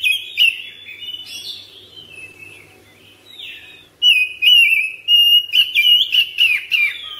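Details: Caged household Oriental magpie-robin in long-breath ngropel song: softer slurred whistles at first, then a loud, dense stretch of sharp, quickly repeated whistled notes and chirps toward the end.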